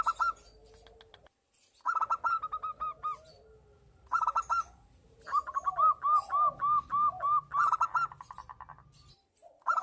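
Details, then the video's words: Zebra dove, local type, in breeding condition, singing back and forth with a female. Clipped note bursts recur every two seconds or so, then a long even run of ringing notes over low murmuring coos. "Suara Burung Perkutut Lokal Gacor bersahutan dengan perkutut betina dan perkutut lokal birahi ampuh"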